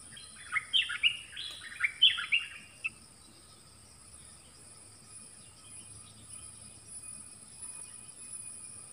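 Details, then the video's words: Nok dok taeng trading double-song phrases with wild birds in a duel: a quick run of loud, chirpy whistled notes in the first three seconds, then quiet with a constant high-pitched insect drone. "เสียงนกดอกแตงEp.24 ดวลเพลงเบิ้ลกับนกป่า"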